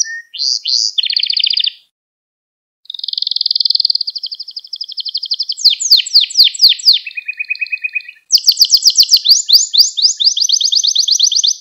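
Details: Canary singing a training song for young canaries: short rising notes and a buzzy trill, a one-second pause, then a long fast trill, repeated sweeping notes, a lower trill, and a bright rapid rolling finish.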